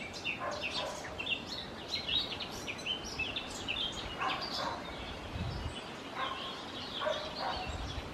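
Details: Four song thrush nestlings in a nest, fed by both parents during extremely hot, dry weather, give high, squeaky begging calls in overlapping bursts, loudest in the first four seconds and again near the end, over faint background noise.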